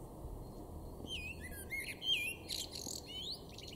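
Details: Male blackbird in a Weener garden, East Frisia, northwest Germany, in March 2024, singing a clear, rich run of fluted, warbling notes ending in higher twittering flourishes, with faint low background noise.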